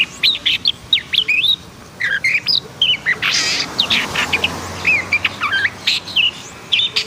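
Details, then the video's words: Agitated (emosi) black-and-white long-tailed shrike sings a rapid, varied chatter of sharp whistled slurs, scratchy chirps and brief harsh bursts in quick clusters, with a faint low hum beneath. "KICAUAN BURUNG PENTET HITAM PUTIH & EMOSI"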